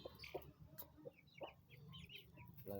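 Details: Twenty-day-old chicken chicks, nine in all, uttering scattered thin high peeps amid soft thumps and a low background hum.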